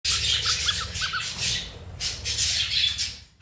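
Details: Pet cockatiels squabbling, one bird picking on another: harsh broad-band screeching squawks in long bursts with a few short rising chirps, a brief pause near the middle, indoors.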